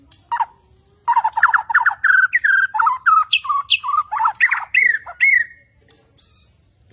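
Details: Caged Borneo white-rumped shama in lively display, pouring out a varied song: a fast burst of rapid repeated notes, then loud whistled and chattering phrases rising and falling, ending with a brief high rising whistle.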